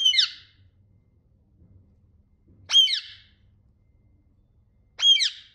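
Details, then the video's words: Jealous, angry pet parrot indoors giving three harsh, grating squawks spaced roughly two and a half seconds apart, each short and loud with a falling tail, in an otherwise quiet room. "The angry and the jealous"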